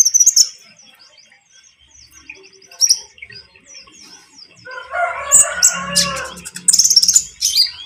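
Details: Spotted konin (iora) calling out to untrained birds so they answer and sing, stirring rivals; scattered thin high chirps, a long harsh buzzy rattle in the second half, followed by quick twittering notes.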